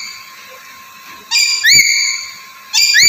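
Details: Vocal, talkative Black-capped lory giving loud, clear, upward-sweeping whistled screeches with many harmonics, two long calls separated by a short pause, set against a constant electrical-sounding hum.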